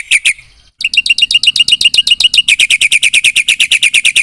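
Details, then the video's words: Vigorous Black-winged myna song packed with inserted phrases. After two opening chirps and a short gap comes a rapid string of sharp, repeated high notes, slightly rising and falling, about four per second. "Suara jalak putih GACOR full isian TERHEBAT M4NC1NG 3MOS1 semua burung nyaut bunyi"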